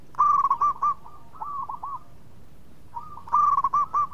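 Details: Melodious local zebra dove singing actively, known for drawing other birds into song: loud rolling coo phrases of quick bubbling notes repeated about every three seconds, with quieter coos in between.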